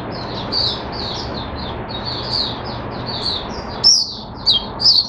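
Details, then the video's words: A caged Oriental white-eye sings a steady stream of high chirpy, downslurred notes, ending with a few louder sharp accented phrases; soft background hum. "Mata Puteh Hercules V1 buka sing"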